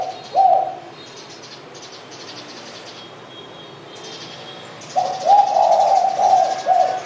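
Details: Spotted dove cooing: a short soft coo, a quiet pause with faint background hiss, then a longer run of low, mellow coos.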